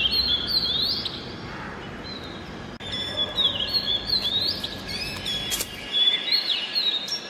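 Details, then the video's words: Oriental magpie-robin singing in early morning: varied high whistled phrases, short rising and falling notes and brief chattering bits, over steady background noise. "Music of the Oriental Magpie Robin Copsychus saularis - sighting and call"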